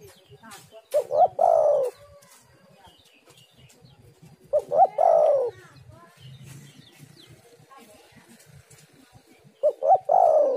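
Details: Female spotted dove lure call: three cooing phrases, each a quick stuttering lead-in followed by a drawn-out wavering coo, spaced roughly four seconds apart over soft background noise.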